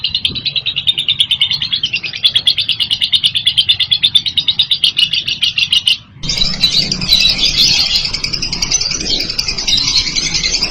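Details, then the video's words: Lovebird song, loud and continuous: a rapid chattering trill pulsing about three times a second, a brief break, then a denser buzzy twittering stream, with low background hum. "KICAU LOVEBIRD MANTAP KERAS"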